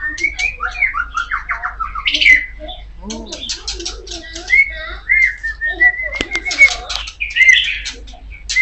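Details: Magpie-robin song: varied whistled phrases and harsh chattering notes, with some long, steady whistles, over a low background hum.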